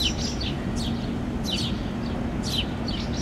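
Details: House sparrow fledglings fed by a parent on a lawn in Helsinki, Finland, June 2013, calling and making wing gestures: thin, high chirps sliding downward, repeated every half second or so over a constant low rumble.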